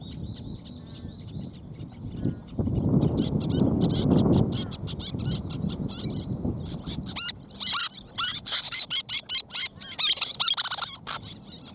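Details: Little tern at a nest where two of three eggs have hatched and chicks are being raised; after a low rumbling stretch, dense sharp high-pitched calls come in rapid bursts, many overlapping, with faint high calls early on.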